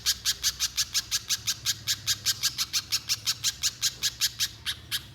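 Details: Little spiderhunter singing hard, meant to provoke another spiderhunter into prolonged song, repeats sharp, high chirps rapidly and evenly, about twenty-seven in five seconds, with a short pause near the end.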